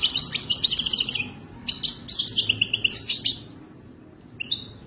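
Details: European goldfinch in wild-type song: a rapid buzzy trill, then a descending series of liquid twittered notes, ending with a single high chirp after a pause.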